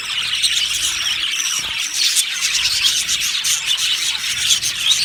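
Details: A budgie colony in an aviary, described as happy, fills the air with continuous high chirping and warbling squeaks, several birds calling over one another.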